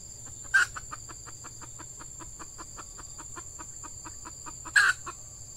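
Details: F1 red junglefowl hen used as a decoy to lure wild males during the breeding season, at peat scrub clearings; rapid, even series of short clucks, about four per second, broken by two loud sharp bursts.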